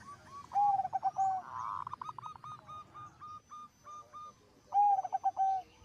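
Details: Zebra dove in full song, a voice said to set other zebra doves calling. Quick runs of short hollow cooing notes, then a higher churring phrase and slurred lower coos. The sequence repeats after a quiet gap, with overlapping doves.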